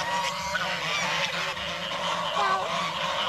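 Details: Geese calling in the evening: dense, overlapping nasal honks with rich harmonics fill the whole stretch, joined by a steady low hum underneath.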